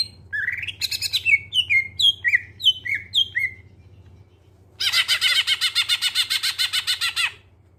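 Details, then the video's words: Greater green leafbird (cucak ijo) lure song, clear-toned: a run of quick descending whistled notes, a pause, then a sustained rapid chattering trill lasting nearly three seconds; faint steady hum underneath. "Cucak ijo suara jernih, pancingan biar cepat gacor"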